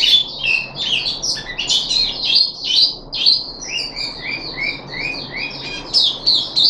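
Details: Puff-backed bulbul kept in a cage, recorded 14 July 2021 on the third day of deworming: a busy, fast stream of high twittering and sliding notes, some rising and some falling, packed closely together.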